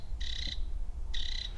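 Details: An agitated wren gives two harsh, buzzy rasps, each about a third of a second long and half a second apart, over a low rumble of wind; captured by a field recorder.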